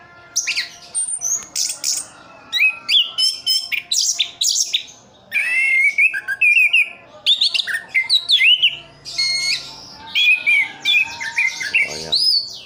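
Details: Caged orange-headed thrush from Sidoarjo, East Java, singing short bursts of varied whistles, clicks and slurred notes, separated by brief pauses, with occasional thin high sweeps.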